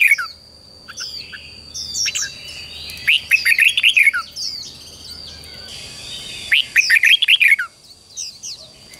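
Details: Red-whiskered bulbul morning fighting song for training wild-caught birds to sing: two loud, rollicking phrases of rapid looping whistled notes separated by quieter chirps, a constant high-pitched whine and other birds in the background.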